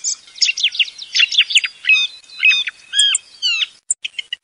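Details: Thrush sound used as a lure for hunting thrushes: a rapid string of high, varied whistled and chirping phrases with sharp rising and falling notes, ending in a few short separate clicks.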